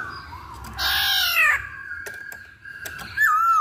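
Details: Chinese hwamei lure song with a harsh, raspy burst, a long steady whistle broken by clicks, and a final loud, sliding whistled note.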